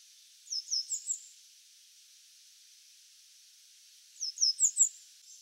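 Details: Grey wagtail in Japan, a bird of fields, grassland and waterside, giving two quick bursts of sharp, very high 'tsit' notes, four then five in a row, with a pause between; otherwise quiet.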